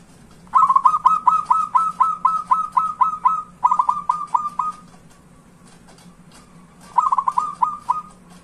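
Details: Lure recording of zebra dove song meant to prompt lazy, silent doves to sing: quick strings of soft rounded coos in fast even succession, grouped into a long run, a shorter follow-up, then a last burst after a quiet gap, with low background hum.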